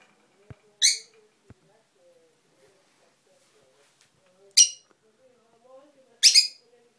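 A pet bird gives three harsh, raspy, high squawks, spaced a few seconds apart, with faint low murmuring and two soft taps in the background.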